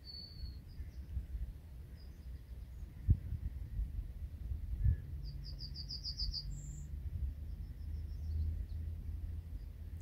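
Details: A yellowhammer in a hedge sings its "little bit of bread and no cheese" song: a quick run of about seven thin, high repeated notes ending in a drawn-out higher note, over a steady low rumble of wind.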